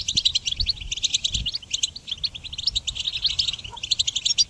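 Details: Rapid goldfinch twittering used in songbird training: clusters of high, crisp notes tumbling in quick succession with short pauses between phrases and faint low thumps.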